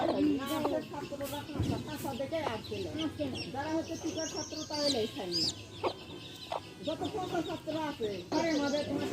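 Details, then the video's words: Hen clucking softly among her baby chicks, short rising and falling notes, with thin high peeps and a few sharp knocks against a low hum. "Hen sounds | chicks sounds | relaxation sounds | hen videos | baby chicks chirping sounds"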